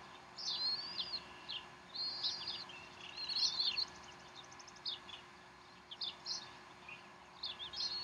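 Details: Bald eagles on the Decorah nest, afternoon of 12 April 2012, while the mother feeds the chicks; rapid series of high, squealing chirps and slurred whistles in uneven bursts over a constant hum.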